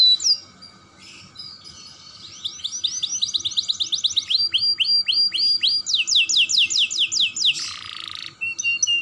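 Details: Young canary's stimulating song starting quietly, then building into fast swept notes, rolling rattles and a burst of rapid trills, ending with a brief noisy rasp and a few high whistles; faint continuous hum throughout.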